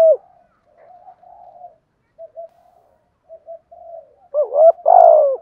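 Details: Spotted dove cooing to stimulate other doves, with both male and female birds in the recording; soft low murmuring coos at first, then a loud burst of three-part hollow coos at the end.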